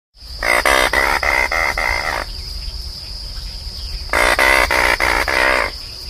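An Anhinga gives two bursts of rapid, grating clicks, each about seven pulses per second for under two seconds, over a steady high whine.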